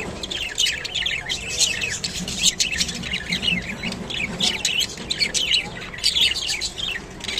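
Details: Rainbow budgerigars eating kolmi shak (water spinach) give a continuous warbling chatter of high chirps and squeaky slurred notes, several overlapping, with a low hum underneath.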